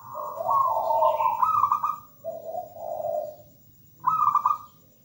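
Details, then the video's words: Zebra dove of local wild origin singing: a long trilled high coo, two lower purring notes, then a short high trilled burst, in a fast rhythmic sequence. "PERKUTUT GACOR MERDU MEWAH"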